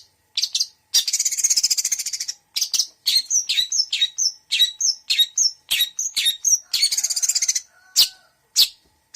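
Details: Long-tailed shrike singing a full mixed 'isian' song: harsh buzzy bursts alternate with short high chirps and rising whistled notes in quick irregular succession, with a brief low whistle near the end.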